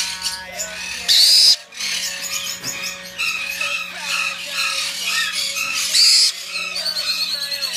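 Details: Tame, hand-fed Black-headed Caique, hatched 10 April 2016, filmed at a bird shop, gives two harsh, piercing screeches about five seconds apart with softer chatter between, over a steady indoor hum.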